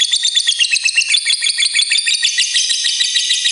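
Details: Lovebird of fighter type giving a long ngekek trill, used as a prompt so other lovebirds start singing: a dense, shrill, high chattering run of rapid notes, pulsing steadily without pause for the whole stretch.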